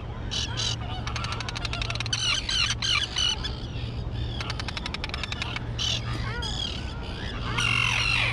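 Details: Young terns, now flying, in an island colony thick with grass: fast chattering rattles alternate with rasping cries and slurred descending notes, over a steady low mechanical hum.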